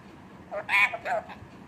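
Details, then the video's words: Punjabi-speaking Indian parrot utters two quick word-like syllables in a row, nasal and harmonic, the second sliding lower, against a faint indoor hush. "Indian Punjabi toking parrot"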